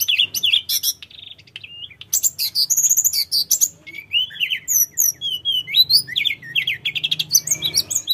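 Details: Sooty-headed bulbul song used as a lure to make birds answer: a dense, busy run of high chirps, whistled slurs and trills, with rapid note bursts and short falling phrases, nearly continuous throughout.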